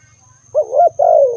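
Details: ['A single spotted dove coo: a short wavering note, a level middle note, then a long descending tone, lasting under a second, with low faint rumble beneath.']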